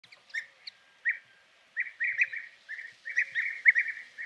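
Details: European bee-eater calls: short, rolling, burry notes at a mid-high pitch, given singly at first, then in quick clustered bursts and overlapping runs. The background is quiet, with a faint low whistle now and then.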